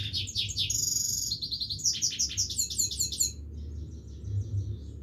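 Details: Himalayan goldfinch in continuous song: fast, bright twittering trills and buzzy rattled notes for over three seconds, then near silence with only faint distant chirps and low rumble.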